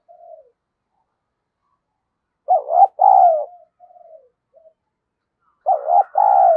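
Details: Decoy spotted dove kept to provoke rival doves, cooing in its daily challenge routine: low, hollow, throaty coos in short clustered bursts, with a few softer trailing notes between phrases and silence around them.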